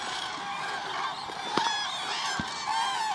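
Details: Cranes at the Agamon Hula, Hula Lake, on 30 December 2014: a dense flock chorus of overlapping trumpeting calls, several clearer rising-and-falling notes standing out over a constant murmur of distant birds.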